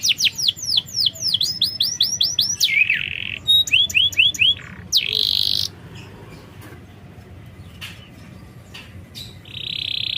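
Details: Canary lure song to prompt a silent bird: quick series of sweeping high whistles and buzzy bursts in the first half, then scattered clicks and a final buzzy note amid quieter stretches.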